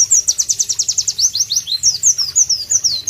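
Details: A White-eye (Pleci) delivers a clear, powerful song in tropical surroundings: a rapid volley of high, sharp downward notes, then slower, varied swooping whistles.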